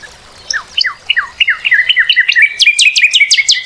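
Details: Northern cardinal singing: a series of clear downslurred whistled notes that speed up into a run of quick, closely spaced slurred notes, loud and clean against a quiet background.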